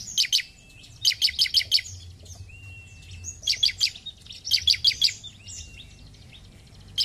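Bar-winged Prinia singing bursts of four or five sharp, high, rapid chipping notes, each burst about a second long, with a faint thin whistle between bursts.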